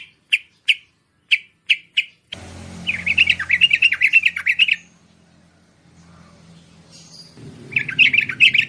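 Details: Merbah bulbul calling to lure wild birds: several spaced sharp chirps, then a burst of bubbly chattering over hum, a quiet gap, and another warbled burst.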